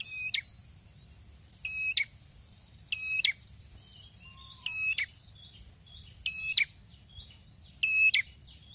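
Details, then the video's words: Red-headed prinia, known as prenjak kepala merah, singing lively. It gives six loud, harsh, buzzy phrases, each a flat rasping note closing with a quick flick, repeated roughly every one and a half seconds. Soft high whistles come between them over a constant low hum. "PRENJAK KEPALA MERAH BAGUS,GACORNYA BIKIN KETAGIHAN"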